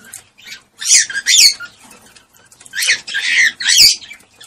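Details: Cockatiel call used to stimulate mating: loud harsh screeching squawks in two paired bursts, separated by a quieter interval.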